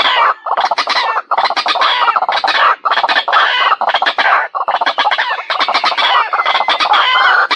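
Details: Lure recording of a white-breasted waterhen: a continuous run of loud, rough, clucking and croaking notes, densely repeated with only brief pauses, harsh and broadband throughout.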